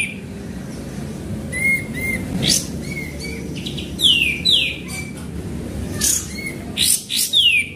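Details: Lure recording of a sooty-headed bulbul singing: scattered short whistles and quick downward-sliding whistled phrases, interspersed with harsh noisy chirp bursts over steady background hiss.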